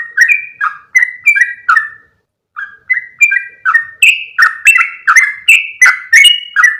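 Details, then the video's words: Yellow-vented bulbul calling, recorded as a lure for other yellow-vented bulbuls. Bubbly two-note chirps run for two seconds, pause briefly, then return faster and louder for the rest of the passage. "SUARA PIKAT BURUNG TRUCUKAN"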